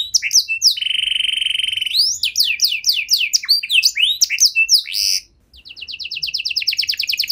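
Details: Canary in full, long-running song with rich phrasing, used to stimulate silent canaries to sing again: varied whistled trills, a sustained buzzy note, rapid downslurred notes, then a brief pause and a fast even trill.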